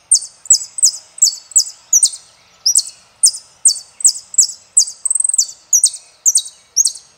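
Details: Saffron finch singing El peregrino: steady string of high, buzzy down-slurred phrases roughly every half second, broken once by a brief rapid burst of stuttered notes.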